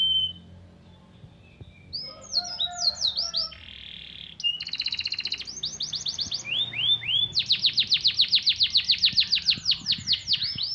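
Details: Canary song that includes copied white-eye (pleci) material, used to stir birds up: varied rising slurred whistles, a short buzzy block, rattling trills, then a long run of rapid repeated sweeping notes.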